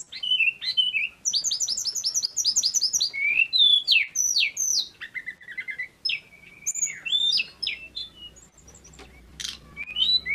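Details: In full song, a male Pygmy cupwing pours out a dense, varied string of high notes. It opens with a rapid stutter of repeated chirps, then high whistles and a buzzy trill, slowing toward the end.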